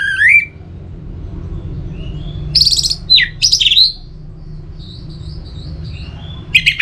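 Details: Caged orange-headed thrush song, with a rising whistle, scattered short buzzy bursts and sliding whistled notes separated by pauses, over a steady low hum.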